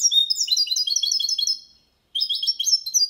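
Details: Goldfinch × canary mule with Malaga-version training song: rapid high twittering phrase, a brief pause, then another quick run of bright repeated notes.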